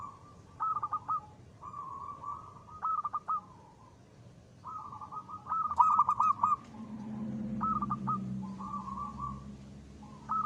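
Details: A local zebra dove sings as a lure, with repeated purring coos and short bursts of rapid notes; a low humming background rises in the second half.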